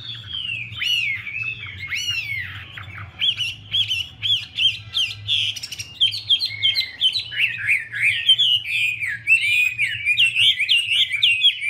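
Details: Chinese hwamei, a female displaying and dancing to fire up the male. A few separate downslurred whistles open a long, rich, rapidly changing song of warbled and twisting notes that grows denser and more jumbled, over a faint low hum.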